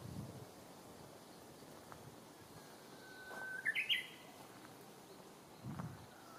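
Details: In Akita City's Senshu Park on 7 May 2017, a hidden Japanese bush warbler sings one phrase: a sustained whistle sliding upward into a brisk, stepped flourish. Low rumbles come before and after, under a steady background hiss.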